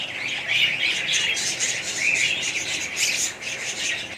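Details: A colony of budgerigars fills the air with ceaseless overlapping chirps and warbles, several rising squeaky notes standing out above the chatter.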